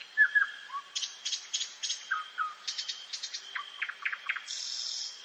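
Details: Common nightingale in a forest at night: low falling whistles, then bursts of rapid buzzy clicks and a string of quick downward notes, closing on a harsh high rasp, with a continuous thin high hum behind.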